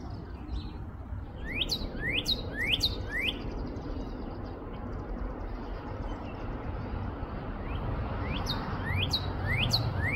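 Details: Northern cardinal (Cardinalis cardinalis), song.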